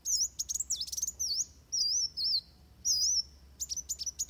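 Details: Van Hasselt's sunbird, fighting song used as a training model: loud high looping whistles, a couple of sharp chips, then evenly spaced wavy notes and a few quick ticks at the close.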